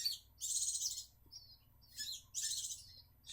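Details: Captive-bred Grey-cheeked Bulbul, Javan form, from a breeding setup in South Jakarta, young birds perching on their second day out of the nest: harsh, buzzy high-pitched bursts, two longer rasping calls each about half a second, with short thinner notes between, quiet background.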